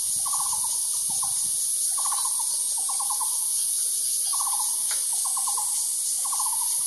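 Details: Taiwan barbet calling: short bursts of four to five quick, hollow, evenly spaced notes, repeated about six times with brief gaps, over a loud, steady, high insect drone.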